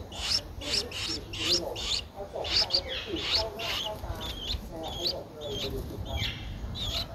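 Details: A 12-day-old Streak-eared Bulbul nestling, in Ubon Ratchathani, Thailand, on 14 April 2023, gives short, raspy, high notes, two or three each second, in a steady series over a constant rustling hiss.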